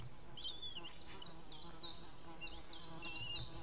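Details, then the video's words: White-tailed eagle calling on 6 May 2016 around 18:31, with the male out and the female in, perhaps because of a stranger overhead: a regular chain of sharp, high, down-slurred yelps, about two per second, over low hum. "merikotkas perhaps a stranger in the sky Male out Female in call"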